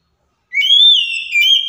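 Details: Oriental magpie-robin lure song for silent birds: a rising, full whistle that levels into a long bright note, briefly falters, then resumes strongly.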